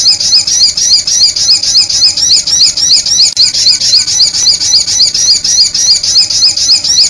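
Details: Sunbird lure sound used for attracting birds: a rapid, steady stream of thin, high squeaky chirps, about three to four per second, evenly repeated throughout with no pauses and no other sounds.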